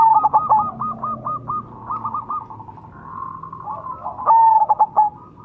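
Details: A lure recording of a Majapahit-type zebra dove: rapid chains of short stuttering coos open the clip, a quieter warbled passage follows, and a strong whistled note with fast broken coos ends it.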